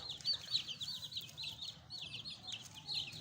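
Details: Fresh young pet chicks giving fast, high, downward-slurred peeps in quick irregular bursts, many birds calling at once over a low background hum.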